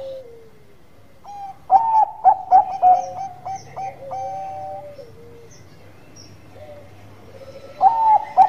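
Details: Manggung singing by a Bangkok-type zebra dove. A loud, rapid run of short coos trails into lower, drawn-out notes. After a quiet gap, another loud burst of coos closes the passage.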